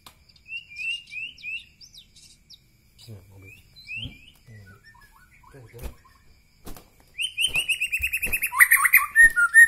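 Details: White-rumped shama from Medan Bahorok with scattered soft, rising whistled notes and some quiet clicks, building into a loud, fast trill and bright rising slurs at the end.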